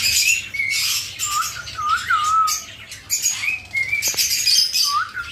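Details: Pet cockatiel whistling a learned tune in a breeding aviary with budgies, conures and lovebirds: clear, slurred notes rising and falling, several in a row, with other parrot chatter and squawks behind.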